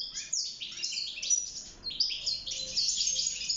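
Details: European goldfinch singing in a cage for mating and nest building: quick, high, tinkling chirps and twittered trills in a dense, unbroken run.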